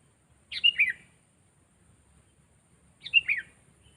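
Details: Sooty-headed bulbul being trained as a decoy bird so it grows bold and answers other birds loudly and clearly. Two short, bright whistled phrases about two and a half seconds apart, each a quick rising-then-falling warble, against a quiet background.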